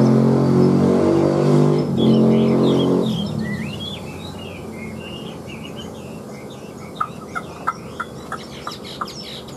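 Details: Chinese hwamei, a newly acquired large bird kept in captivity; loud low engine-like hum fills the first three seconds, then a lively run of varied short whistled and slurred notes follows, ending with several sharp ticking clicks.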